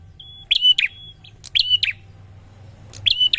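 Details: Prinia song of bright, clipped twittering phrases. Each begins or ends with a thin sustained whistle, with a short pause between phrases, over a faint low rumble in the background.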